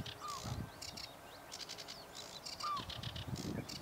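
A sedge warbler sings fast, scratchy chattering phrases broken by two lower slurred whistles, over steady low rumbling wind or distant traffic.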